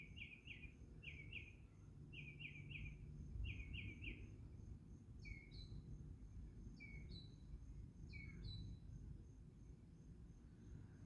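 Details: A singing bird gives quick triplets of bright chirps, then switches to slower downslurred whistled notes in pairs, against steady low background noise.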